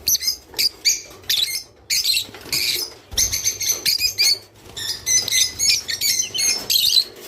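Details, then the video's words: Java sparrow song, played to stimulate birds to mate: bursts of high, bright, clicking and tinkling notes in quick clusters, separated by short pauses, with soft rustling between phrases. "تغريد روز / صوت روز/حفزطيورك علي التزاوج"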